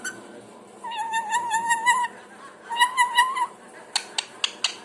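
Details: Parrot making a range of different sounds: two bouts of warbling, wavering harmonic notes lasting about a second each, then a quick series of four sharp clicking bursts.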